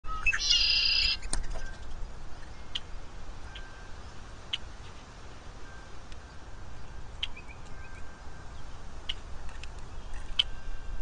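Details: Red-headed woodpecker at a backyard feeder in Schaumburg, Cook County, Illinois, 1 May 2024, daytime: a single harsh, raspy burst of calling near the start, then scattered faint short chips and ticks over a steady low outdoor rumble.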